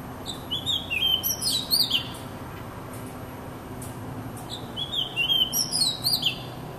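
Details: Oriental magpie-robin singing: two phrases of clear, sweet whistles, slurred up and down with quick high flourishes, separated by a pause of about two seconds, over a quiet background.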